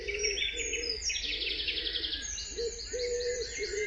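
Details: Early morning dawn chorus: many high, rapid twittering and trilling phrases overlap, while a lower, steady hooting note repeats underneath every half second or so.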